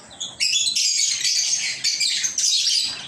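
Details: Lovebirds chirping in a near-continuous run of shrill, raspy chatter, with short dips before each renewed burst.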